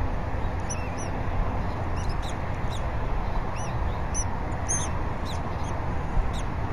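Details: Bald eagle nest on a live camera at Berry College, 20 February 2019, late morning, while the female feeds the eaglet fish and the male adds twigs: scattered faint high chirps and squeaks over constant low wind roar.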